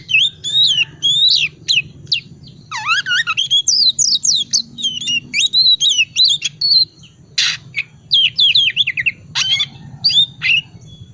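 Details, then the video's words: Ngriwik wiksar song of an Oriental magpie-robin, played to prompt silent magpie-robins to sing; long run of sharp chattering trills, fluty slurred whistles and harsh scratchy bursts, nearly continuous, with a steady low hum behind. "pancingan kacer tipe dingin ngriwik wiksar"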